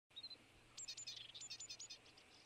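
Great tit giving a quick run of high, thin notes, about a dozen in just over a second, after a brief opening note; a faint low hum underneath.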